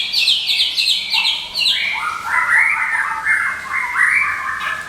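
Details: White-rumped shama of Medan, a lure and master song bird, sings a fast high trill that drops into lower rasping chattered phrases repeated in quick bursts.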